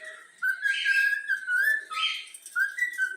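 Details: Trained young yellow-cheeked cockatiel whistling the Flamengo anthem indoors: sustained mid-pitched whistles with rough, slightly buzzy overtones, held notes broken by short gaps and a final rising slur.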